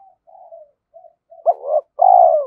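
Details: Spotted dove kept as a decoy, calling to provoke fighting: faint low murmured notes build into a sharp hooked note and then a loud, drawn-out, slightly falling coo, with no background noise.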